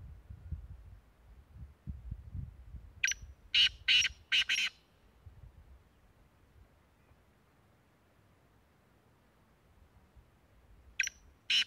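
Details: Black francolin, locally kala teetar, recorded at Tank, Khyber Pakhtunkhwa, Pakistan: a quick run of four harsh, grating notes, then a quiet gap and two more rasping notes near the end over faint low background rumble.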